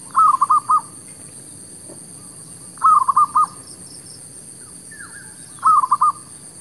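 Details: Zebra dove used as a decoy near shops to draw in wild doves, repeating a quick burst of four or five purring coo notes about every two and a half seconds, with a faint distant whistle.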